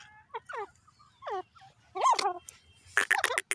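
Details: Grey francolin, a caged bird, calling: a run of short downward-curving notes, then louder harsh rising-falling phrases and a burst of rapid loud notes at the end.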